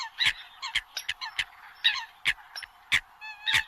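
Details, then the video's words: Eurasian coot calling in migration season: short, sharp, nasal notes spaced irregularly about every half second, a few paired or doubled, over a quiet background. "Tiếng Sâm Cầm mới nhất cho mùa mới chim di cư"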